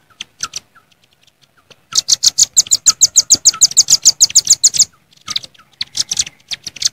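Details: Velvet-fronted nuthatches in nature calling rivals, mixed into a busy lure recording: a few scattered chips and soft notes, then a long steady run of rapid, shrill chips, followed by irregular short bursts.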